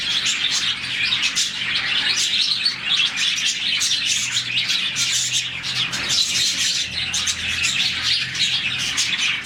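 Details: About forty budgies in a colony chirp in the morning, a sound made when happy; a steady wall of bright, rapid twitters and squeaky warbles, with occasional louder bursts rising above the crowd.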